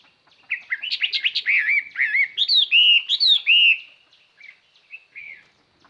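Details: Decoy Chinese hwamei pouring out a clear, far-carrying song to draw other birds: a dense run of bright, looping whistled notes that varies in pitch, then trails off into a few soft, spaced notes.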